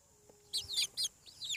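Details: Chicken chicks hatching on a farm give three loud high peeps in quick succession, each arching up then falling, after a faint steady low hum.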